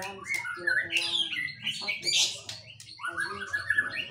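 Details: White-rumped shama singing with kapas tembak mimicry: a fast jumble of warbled whistles, harsh chatters and rising slurred notes, varied and continuous, over a faint low hum.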